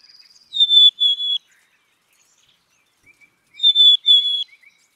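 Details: Twice-given whistled song of a black-capped chickadee: a clean higher note followed by a slightly lower, faltering one, about three seconds apart, preceded by a brief rapid ticking.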